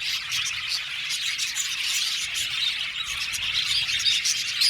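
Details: Colony of budgerigars, 70 pairs, in an aviary, producing a thick chorus of fast, high chirps and warbling twitters, steady throughout with a few crisp whistled notes toward the close.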